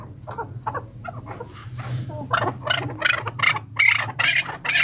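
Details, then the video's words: An excited chukar partridge gives a quickening series of harsh, clucking chuk notes, about two a second, growing louder and fuller, over a low background hum. "چکور کی مستی اور آواز"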